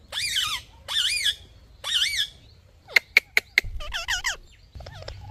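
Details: Parrot giving wavering, nasal whistled calls that bend up and down, then four sharp clicks in quick succession, more wavering calls and a soft rustle.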